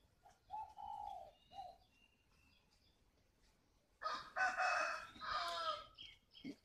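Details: Caged spotted dove decoy, a mature wild-caught bird in Ba Vì, Hanoi, Vietnam, opens with a short coo, then a longer mellow note and a clipped end note. A loud, harsh, crowing-like call follows near the end.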